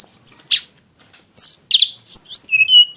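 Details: High, thin whistling from a tledekan gunung (mountain flowerpecker), sung in exotic style with rich bursts: a pulsing whistle, a brief pause, then quick chirps and a lower sustained note at the end.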